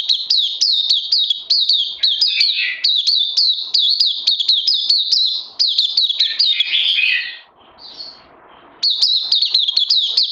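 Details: Oriental white-eye singing in captivity, recorded 31 May 2020: fast high twittering with some lower slurred warbles mixed in, a short pause with soft rustling, then the rapid chirps resume.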